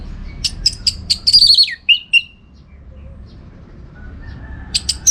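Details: Orange-headed thrush song for training contest birds: quick high staccato notes run into a warbled sliding phrase that drops in pitch, two lower whistles, then silence before a few sharp notes at the end.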